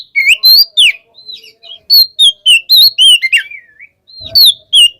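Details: Oriental magpie-robin calling a rival with ngeplong song: crisp whistled notes sliding downward, delivered rapidly in short runs, a quiet gap with a soft tap, then two more bright whistles.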